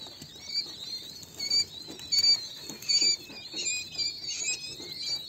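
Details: High-pitched peeping from King quail chicks, brief whistled notes grouped in small bursts of two or three, some louder clusters midway, over soft rustling.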